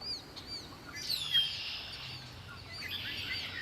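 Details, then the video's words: Birds singing at Lake Erie: curved high whistled notes and a louder chirping burst just after one second, with quieter calls continuing behind. "Birds singing by Lake Erie"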